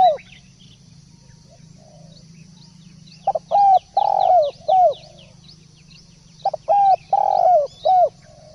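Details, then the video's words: Lively spotted dove song in two phrases of low, hollow coos, a stutter, sustained notes and a falling end note, with repeated thin rising chirps of a small bird and a low hum behind. "Masteran Derkuku / Tekukur gacor"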